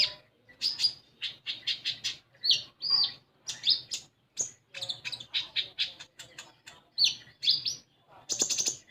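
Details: Common iora song for coaxing untrained captive ioras: long energetic series of sharp chirps and curling whistles, fast and jumbled, closing with a grating rattle.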